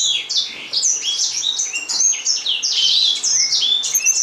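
Gouldian finches keep up a dense, overlapping chatter of thin, high chirps and buzzy notes, several birds calling at once with hardly a pause.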